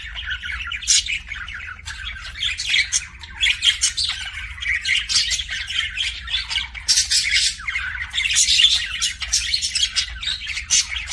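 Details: Pet budgerigar producing kissing sounds: rapid clicking and buzzy chatter with high chirps, steady and busy for the whole stretch, faint hum beneath.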